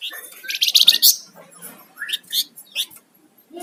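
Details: Flamboyan songbird singing actively: bursts of high, sharp chirps and rapid twittering notes in quick clusters, followed by a few separate bright chips with short pauses between them.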